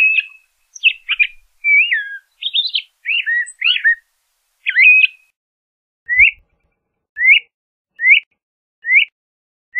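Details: Song of a LeConte's thrasher: a varied run of whistled, warbled phrases with sharp slurred notes, then a string of five evenly spaced rising whistles about one second apart.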